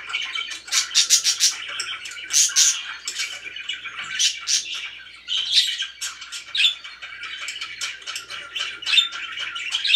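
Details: Happy budgerigars at home giving bursts of harsh, buzzy squawks and quick chirps in clusters about every second, between softer continuous warbling.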